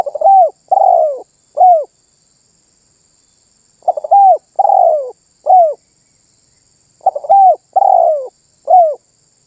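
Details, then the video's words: Spotted dove in lively 'manggung' song, said to prompt other birds to join in. Three matching phrases about three seconds apart, each a few quick stuttering notes, a long descending coo and a short, clipped closing coo. "SUARA BURUNG TERKUKUR MANGGUNG GACOR MEMBUAT BURUNG LAIN IKUTAN BUNYI"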